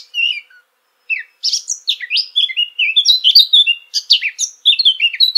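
A Eurasian blackcap sings a quiet, scratchy opening phrase, then after a pause bursts into a fast, loud warble of clear fluting whistles that keeps building to the end.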